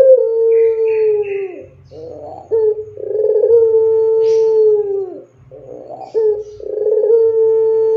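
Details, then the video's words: Barbary dove singing in the long, clear pelung style used to train other doves: two long level coos, each opened by short rough notes and drooping at the close, repeated roughly every three to four seconds. "Suara Puter Pelung Gacor Panjang Jernih Cocok Buat Masteran Puter Auto Gacor"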